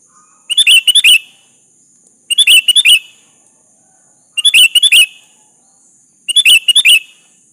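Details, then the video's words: Sooty-headed bulbul in full voice, calling a rival to answer, sends four short bursts of rapid chirpy notes at regular intervals of roughly two seconds; each burst is a crisp cluster of bubbly phrases, with a thin constant high hiss behind. "Suara burung kutilang gacor memanggil lawan pancingan kutilang agar nyaut"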